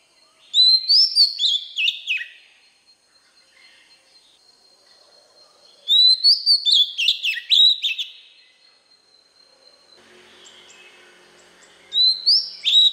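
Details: Oriental magpie-robin singing to train young birds: three bursts of rich, varied whistled phrases with quick rising notes and scratchy touches, separated by pauses of several seconds, with faint background hiss.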